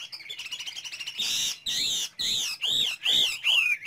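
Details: Chinese hwamei, caged, singing: a quick stuttering trill followed by long, loud, arching whistled notes repeated about every half second, each rising then falling.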